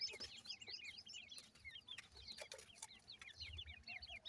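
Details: A brood of grey francolin chicks indoors keeps up a steady stream of thin, high peeps in quick succession, over a faint low rumble and a few clicks.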